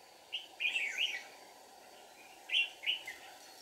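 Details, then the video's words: Red-whiskered bulbul used as a decoy bird for trapping in deep forest: two short bursts of warbling, rolling notes with quick up-and-down inflections, a brief phrase then a pause and another, over a steady low hum. "Bẫy chào mào Rừng sâu bổi cực dữ ché nẹt mồi"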